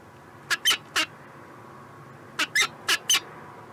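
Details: Peregrine falcon in Montreal, Canada, 2017, giving seven harsh, raspy calls in two bursts: three close together, a pause of over a second, then four more, over a quiet background.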